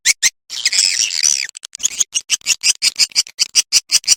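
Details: Swiftlets on a 'ratu birahi' roosting lure track meant to attract them to roost: a long buzzy twittering burst opens, then a steady run of quick, evenly spaced high chirps, roughly four per second.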